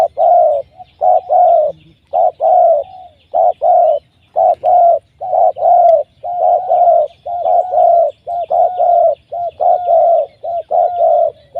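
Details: Trapped wild spotted dove giving a powerful, rapid series of hollow coos, notes grouped in pairs and triplets almost continuously throughout, clean and loud.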